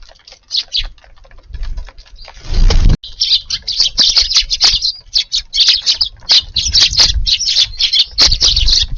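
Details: Eurasian tree sparrows feeding in a garden at lunchtime on a warm February day; a loud wingbeat flurry is followed by dense, continuous high chirping from several birds.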